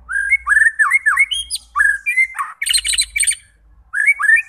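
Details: White-rumped shama singing, played to provoke fighter birds: quick rolling whistled notes rising and falling, then harsh buzzy chattering phrases and a final pair of whistles.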